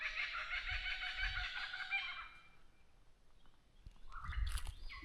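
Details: Wild lyrebird in Victoria's High Country, Australia, mimicking kookaburra noises: a dense, rich, harmonic burst of rolling calls for two seconds, then quieter scattered chirps and a rising whistle near the end over low wind rumble.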